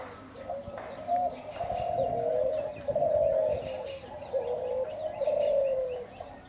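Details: Spotted dove giving low, mellow coos around a steady pitch, drawn-out notes gliding slightly downward in a phrased series over about six seconds, with faint background hiss.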